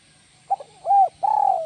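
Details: Spotted dove, 'kuk 1 melambung' style: brief stuttered opening notes, a rounded coo, then a long, slowly falling coo cut off at the end; calm, quiet setting.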